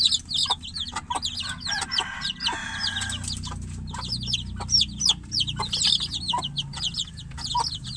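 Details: Chicks held in a cage call for the hen waiting outside. Continuous high falling peeps from several birds overlap, with a brief broad rasping noise early on and a low rumble beneath.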